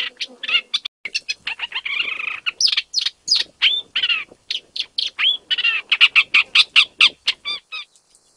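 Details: Isabelline shrike, wild, Jiangjun District, Tainan, Taiwan, 25 December 2023, first Taiwan main-island record; rich, continuous jumble of grating rasps, buzzy slurs and whistles ending in a fast run of sharp chips.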